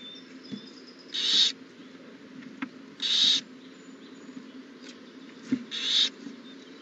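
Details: At an owl nest on April 20, 2019, shortly after an owlet hatched at 6:02 am, three rasping hiss-like screeches of about half a second, roughly two seconds apart, sit over a quiet constant hum with faint ticks.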